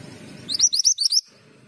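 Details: Active male Pied Bushchat giving a single fast phrase of about six high, thin upslurred whistles, closely spaced and bright, with faint low background noise before and after.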